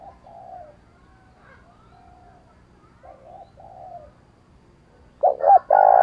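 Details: Spotted dove cooing in a 'sát bổi' style meant to make decoy birds coo. Soft, low, drawn-out coos repeat at a distance, then a louder close phrase of two short notes and a rolling coo starts at the end.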